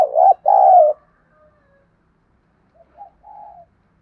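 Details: Spotted dove coo meant to provoke wild and decoy doves into calling back: one strong two-part phrase, a clipped note then a long, rough coo, followed by softer, quieter coos in the background.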